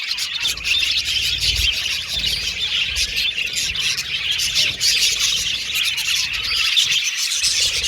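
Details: Colourful pet Australian budgies singing and chirping as a group, a steady stream of overlapping high whistles, chirps and scratchy chatter running throughout.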